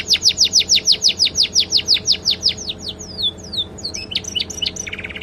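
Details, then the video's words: Canary song stuffed with sikatan londo flycatcher phrases, a master recording for training songbirds: a steady rhythmic series of about fifteen loud downslurred notes, then softer sweeping slurs and scattered chips ending in a brief trill. "KENARI isian SIKATAN LONDO"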